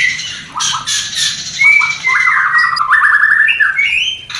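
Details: Mating sound of a white-rumped shama for a new pair not yet producing: a few harsh bursts, then long level whistles broken into fast rattling trills.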